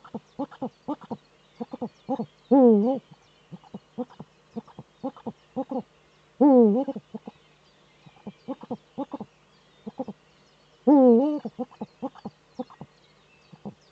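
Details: Courting male Eurasian eagle-owl in its nesting niche, recorded by a nest webcam in northern Rhineland-Palatinate, Germany, 4 May 2013; rapid low clucking pulses run throughout, broken by three loud, quavering, drawn-out hoots spaced about four seconds apart.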